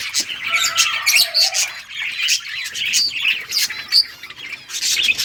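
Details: Playing budgies mix high chirps and harsh squawks in a lively jumble, with a couple of short lower whistled notes near the start.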